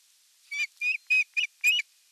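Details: Osprey calling at the nest during evening feeding, 30 June 2022, nest camera: five rapid whistled notes, each rising and slightly buzzy, spaced roughly a quarter second apart.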